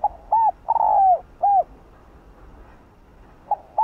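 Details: Hạp bổi-style cooing of a spotted dove (cu đất), with gọi, thúc and gù parts. A full four-note phrase whose long rough middle coo falls in pitch, then a pause and the start of the next phrase.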